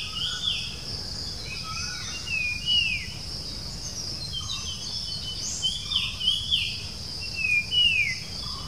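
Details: Puff-throated babbler (Pellorneum ruficeps), persistent whistling call, Bangalore outskirts, India, 07-06-2020, Nikon Coolpix B700. Several sharp, falling whistles come in irregular bursts, with a few lower soft notes between them and constant shrill insect buzzing behind.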